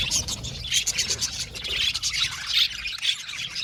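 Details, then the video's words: Budgerigar colony in an aviary, short burst of busy overlapping tweets and squeaky chirps from many birds, bright and high-pitched with quick clipped notes. "Beautiful Budgies chirping sound"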